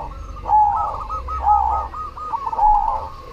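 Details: A cemani zebra dove in full song gives three loud, rolling coo phrases about a second apart. Each has a bright, sustained note and quick trilled edges, backed by faint cooing from other doves.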